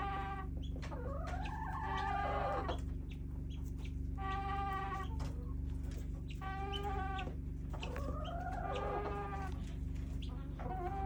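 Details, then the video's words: Chickens in a backyard flock making weird whining calls: arched, rising-then-falling nasal notes alternating with flatter drawn-out cries, repeated several times, over a persistent low droning hum. "Weird chicken sounds"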